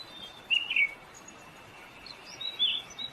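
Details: Puerto Rican oriole giving short, sharp call notes: a quick pair early on and another brief note near the end, over faint steady background hiss.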